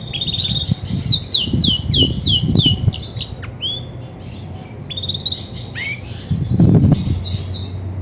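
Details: Grey and white Belgian canary hen, a bird that sings much when ready to brood, gives a string of rapid high downslurred notes, a pause, then scattered sweeping whistles, while low bumps and rumble sound underneath.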